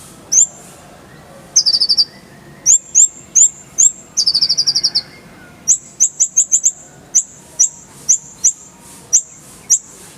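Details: Oriental white-eye song used to train cage birds: single sharp, high chirps and two fast, buzzy trills early on, then a long run of evenly spaced bright chirps about every half second.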